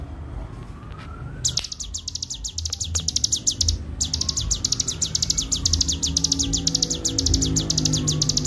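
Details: Cigun, the bar-winged prinia, in full continuous song for a master recording: after a brief near-silent opening with a few clicks, a fast steady stream of bright high chirps starts, pauses briefly, then resumes without break.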